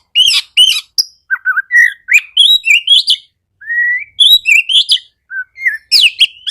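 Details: Song of an Oriental magpie-robin, played to spur silent magpie-robins: scratchy opening notes, then clear whistles, one long upslurred note in the middle, and a harsh burst at the end.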